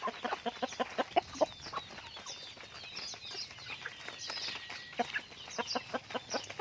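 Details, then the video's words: Raised pet chickens giving a run of low, short clucks in quick succession, overlaid by thin high peeps and chirps from several birds. "pets chickens / raising chickens"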